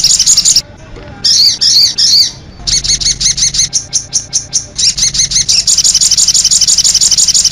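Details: Konin-style song of a sogok ontong sunbird, meant as lure and master material: high, thin twittering phrases broken by pauses, then a steady run of quick repeated chips growing into dense continuous chatter.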